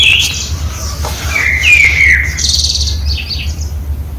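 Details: A common blackbird singing in the morning in a home courtyard, an unusual song heard for about a week, gives a mellow, fluted mid-pitched phrase ending in a thin, high twittering flourish over a steady low hum.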